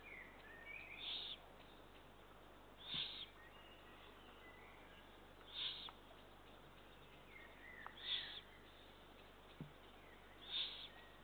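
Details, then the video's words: On 2 June 2023, Eurasian eagle-owl chicks beg at feeding, repeating short harsh hisses about every two and a half seconds over steady background hiss, with occasional clicks and chirps. "Kassikakk poegade toitmine 2023 06 02 Bubo Bubo Eagle Owl feeding of chicks"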